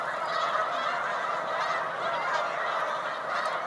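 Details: Spring-migrating Snow Geese massed on Cayuga Lake, New York, 20 March 2021: a far-off, even chorus of overlapping honks that never breaks over nearly four seconds.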